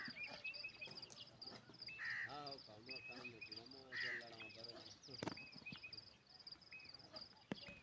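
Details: Parrot giving repeated harsh, nasal, rasping calls, some drawn out with rich layered tones between 2 and 4 seconds. Short high squeaks follow, and a constant high whine and a sharp click near 5 seconds are also heard.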